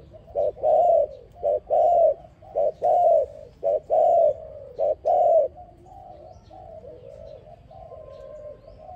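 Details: A dove sings low, mellow coos, short notes paired with longer drawn-out ones, about one a second, then softer cooing; the song is used as a lure to trap another dove.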